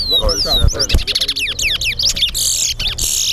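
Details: Towa towa, the chestnut-bellied seed finch, competing in a singing contest at Guyana National Stadium: fast falling whistled slurs in a rapid run, then a buzzy hiss, with voices low behind.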